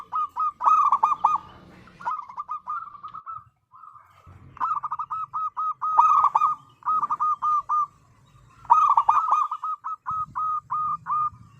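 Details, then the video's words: Zebra dove of local stock singing hard, played to coax other doves into song: repeated bursts of quick staccato coos, several overlapping strings, with faint low hum between phrases. "Perkutut Lokal Gacor Suara Paling Ampuh Untuk Pancingan Burung Perkutut Agar Bunyi"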